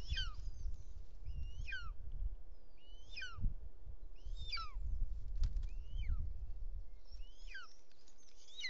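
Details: Bonelli's eagle at its nest in Els Ports Natural Park, Catalonia, on 6 June 2024, as the male flies in with wings spread, talons forward and a snake in its beak. Sharp, descending whistled notes repeat about once a second over low rumbling wind noise.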